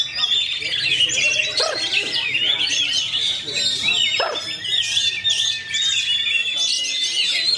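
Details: Kacer, or Oriental magpie-robin, of fighter type singing a rapid, tight roll: crowded high whistles and chirps, a long gliding whistle late on, with faint voices and low sounds beneath.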